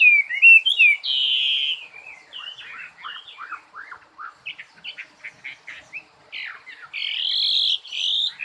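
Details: Songbird alternating long sustained whistled notes with series of short, clipped downward chips, then returning to loud drawn-out whistles at the end.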